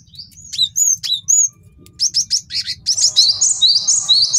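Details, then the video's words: Master song of a male cinereous tit for tutoring birds and luring wild ones: clear downslurred whistles first, then quick high chirps running into a dense, jittery trill. "MASTERAN GELATIK BATU JANTAN BAGUS BUAT MIKAT DAN MASTERAN BURUNG JAWARA"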